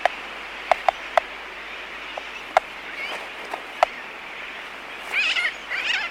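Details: Laysan albatross colony heard close by, a few separate sharp clicks spaced over several seconds, then wavering nasal calls of distant sooty terns rising near the end.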